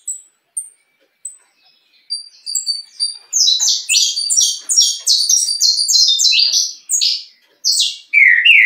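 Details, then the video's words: Distinctive mutation saffron finch, noted as a strong singer: a few isolated high chips build into a dense, fast, continuous string of bright chirped notes, ending with a lower slurred note. "Canário da terra mutação diferenciado bom de canto!"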